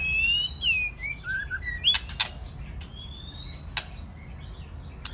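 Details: Male and female white-rumped shamas singing together, the male in the 'tạch' clicking style, played to encourage singing: clear whistled phrases open the clip, then a few loud dry clicks and a thin rising whistle.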